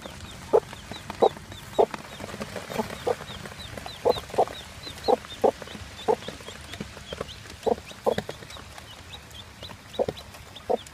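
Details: A one-day-old chick, offspring of a mostly Plymouth Barred Rock hen and a full-blood Barred Cochin rooster, stays beside its mother. High thin peeps repeat through the recording over the hen's low, regular clucks, about one cluck per half second.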